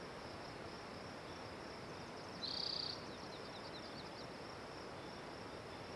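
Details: Spotted towhee singing: a single short buzzy trill, high and rapidly pulsed, lasting about half a second. Faint high chirps follow over a steady high-pitched hiss.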